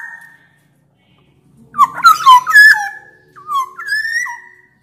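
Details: Loud black-naped oriole song of Sumbawa origin, used to coax quiet orioles into singing: a long held whistle, a pause, then rich rolling fluted phrases with slurs and a rising final whistle.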